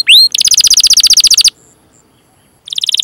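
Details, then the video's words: Canary training song in the chattering 'cuit cuit' and rolling style, used to prompt young or silent canaries: a rising whistled sweep, then a rapid even trill of bright high notes, a pause, and another fast trill. "Masteran Suara Burung Kenari Gacor Panjang cuit cuit Ngerol untuk Pancingan Kenari!"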